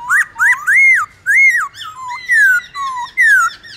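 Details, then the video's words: Morning duel song of a Black-throated laughingthrush, 'forest voice' style, used to fire up other birds: bold whistled arcs about once a second, some rising, some dropping steeply, clean and ringing with little background. "Khướu bạc má hót đấu giọng rừng buổi sáng"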